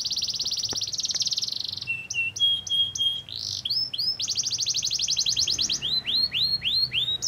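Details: Canary singing as a provoking lure for other canaries: dense buzzy trills, steady flat whistles, then another trill and a row of slower arched notes.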